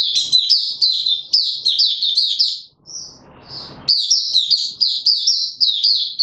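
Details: Male white-eye kept in a cage, trained for form with an opening song on 31 December 2021: dense, rapid high twittering with quick downward-slurred notes, one brief pause midway filled by low background rumble.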